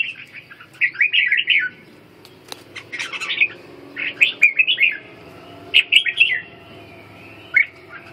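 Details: Caged red-whiskered bulbul in training, singing the ché style during strength-recovery conditioning: short bright warbled bursts, chattering and rolling, in four separate phrases with quiet gaps between them, plus a faint low hum.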